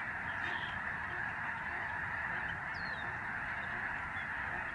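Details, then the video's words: Snow geese by the thousands pass overhead in November 2011 at a migratory bird sanctuary in Canada. Their massed honking forms a steady, roaring chorus, with one thin rising-then-falling squeal heard briefly. "Spectacular flock of Snow geese in the sky"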